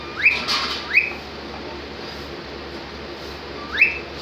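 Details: Cockatiel in happy mode: two quick upward-sweeping whistles close together, a long quiet gap, then a third rising whistle near the end, over soft indoor background hiss.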